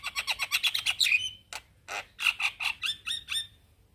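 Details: Male Javan myna calling to young companions: a rapid rattling chatter of about a dozen harsh notes, a pause, then further grating bursts and short whistled slurs trailing off.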